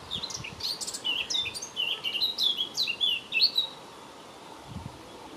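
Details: In May 2018 a blackcap delivers a fast, warbling phrase of clear whistles rising to a loud flourish near the end, about four seconds long, over a low rushing background.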